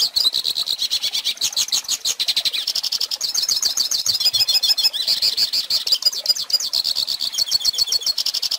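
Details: Sustained, energetic twittering of a hooded siskin, meant for teaching young birds their song: a rapid stream of high, bright notes, rattling trills and squeaky slurs that alternate between higher and lower phrases without pause.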